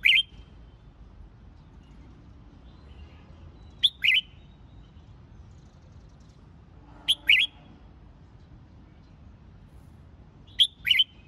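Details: Red-whiskered bulbul phrases for singing-competition training and firing up young birds: four short two-part whistled phrases, a sharp note then a quick warble, repeated about every three and a half seconds against low hum.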